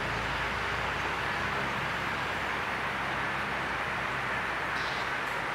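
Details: A constant broadband hiss and roar, like passing traffic or a train, fills the recording without any distinct animal calls.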